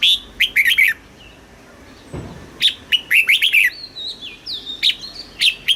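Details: Caged Thai red-whiskered bulbul in the southern master style, for exciting birds and tutoring young: several rapid clusters of loud, warbled whistles, with softer twittering and thin whistles in the pauses.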